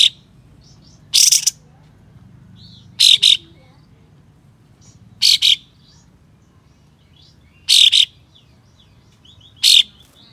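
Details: Tail-spreading white-shouldered triller uttering coarse, spicy besetan shots that goad rival trillers into spreading their tails: five loud, scratchy, noisy bursts roughly every two seconds, some split into double pulses, with faint thin chirps between.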